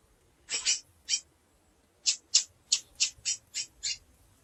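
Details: Female chestnut-bellied seed finch peeping: a burst of harsh, high, slightly buzzy chips, first two spaced, then a quick run of about eight in under two seconds.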